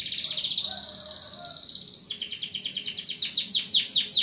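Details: Canary 'gacor' song played to get mute canaries singing again: a long even high trill followed by rhythmic falling chirps that swell in loudness at the close.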